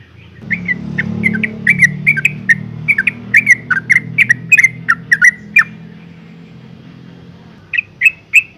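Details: Female yellow-vented bulbul calling to make males sing: a run of quick, bent chirps over a steady low engine-like drone, a quiet gap, then three more sharp notes.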